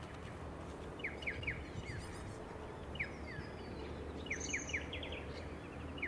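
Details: A striated pardalote on the Sunshine Coast, Queensland, in June 2021 gives short, sharp, clipped notes in quick groups of two or three, about every second, over a steady rushing background with faint higher chirps.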